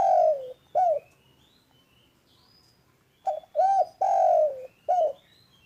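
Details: Spotted dove calling loudly and steadily: the end of one phrase, then after a pause a full sequence of short notes, an arched coo, a long falling hoot and a closing coo. Faint high thin whistles drift behind.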